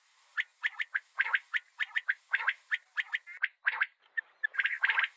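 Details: Common quail (batair) calling: a dense run of short, sharp chirping notes in quick clusters, some notes doubled or tripled, continuing without pause throughout with slight buzzy overtones and no other clear sounds.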